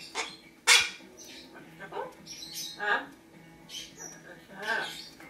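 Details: A pet Lesser Sulphur-crested Cockatoo gives one harsh, loud screech, then softer, chattering, talk-like mutterings at an uneven pace over several seconds, with a macaw talking in the background.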